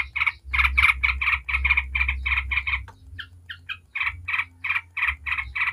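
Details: Yellow-vented bulbul in 'ngebren' style, a rapid noisy chatter used as a lure to make other bulbuls sing. Harsh buzzy notes come about four per second, break briefly near three seconds, then resume. Low hum underneath.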